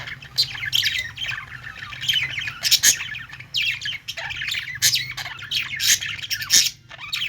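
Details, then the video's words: Several budgies squawk and chirp in bursts of harsh, scratchy notes mixed with short warbled phrases, separated by brief pauses, over a faint constant low hum. "Budgies sounds | parakeet chirping sounds"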